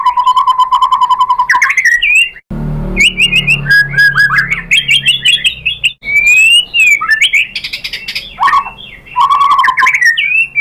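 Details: White-rumped shama song played as a lure: a low buzzy trill, then tumbling whistled phrases and swoops, with a brief rumbling noise early on.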